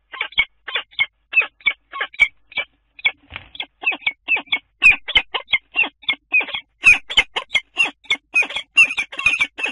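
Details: Common kestrel at the nest, Dunea water tower, Scheveningen, 10 April: a long, unbroken series of loud, harsh, squealing calls about three per second, mixed with sharp clicks and scratching noises in the second half.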